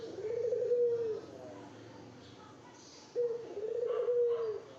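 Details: Spotted dove calling to court a female, two quavering coo phrases separated by a two-second pause over a hissy background with faint chirps.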